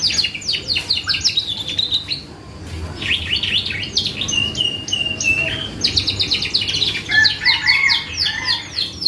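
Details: Lure song of a vigorous canary, meant to trigger replies from other birds: bursts of rapid high chirps and trills, a short pause near two seconds, then more fast rolling phrases and lower warbled notes.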